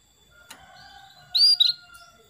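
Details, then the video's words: Female canary calling a male, a recording meant to stir males into full song. One bright, high, rising tweet is followed at once by a shorter clipped chirp over a quiet background with a steady faint tone. "PANCINGAN KENARI BETINA MEMANGGIL JANTAN"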